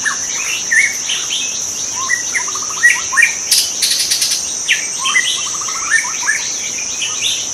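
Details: White-rumped shama singing in the wild in its natural habitat: varied short whistles, rising slurs and quick rattling note series in irregular bursts, over a steady high insect drone and a brief buzzy insect pulse midway.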